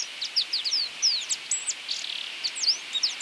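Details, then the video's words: Drakensberg siskin, a South African bird 13 to 14 cm long, singing a fast jumble of high, thin, slurred and twittered notes with a few buzzy sweeps, set against steady background hiss. "O canto do siskin de Drakensberg ( Crithagra Symonsi )"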